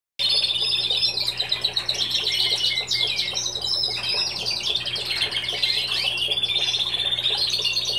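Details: Young Timbrado canaries hatched in 2016 developing their song: continuous dense warbling and twittering trills, high and rolling, with a steady low hum beneath.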